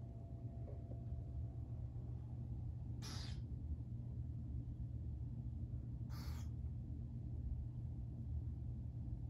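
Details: Captive burrowing owl hatchlings, two young birds new to an aviary show flock, give two breathy, screechy hisses roughly three seconds apart against constant low-pitched background rumble.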